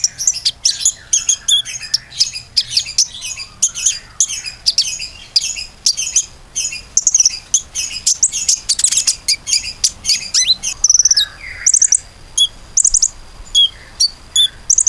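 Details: Common iora song used as a lure to prompt other birds to sing: long dense runs of high chirps and trills, busy and overlapping at first, then spaced staccato trill bursts.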